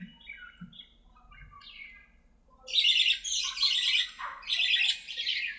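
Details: Budgies playing in their aviary: soft whistled warbles at first, then loud, continuous raspy squawking chatter from several birds.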